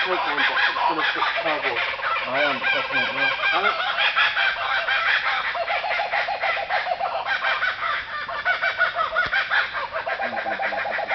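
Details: Kookaburras laughing their heads off around campers at Alexandra Bridge, Western Australia; a loud overlapping chorus of rapid chuckling and cackling notes, with human laughter and a voice mixed in near the start.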